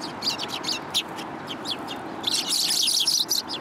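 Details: Urban sparrows coming to be fed, 30 November 2015. Rapid high chirps repeat at first, then merge into a dense chattering chorus of many birds in the second half.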